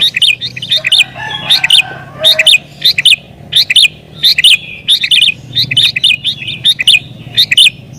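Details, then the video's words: Sooty-headed bulbul in agitated, rival-pressing song used to call wild bulbuls and set others singing. Short, bright, bubbly phrases repeat steadily, roughly every three-quarters of a second, throughout. "Burung Kutilang Gacor Isian Cocok Buat Pikat Burung Kutilang Liar"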